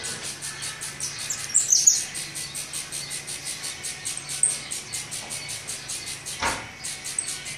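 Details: Hungry nestlings of the saffron finch begging during feeding: evenly paced, breathy high chirps, roughly four each second, with a couple of sharp squeaks early and one dull thump near the end.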